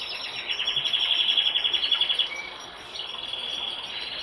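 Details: Brambling calling: a fast, even run of high, thin ticking notes at about three to four per second for roughly two seconds, then a softer, shorter burst after a pause, over a steady background hiss.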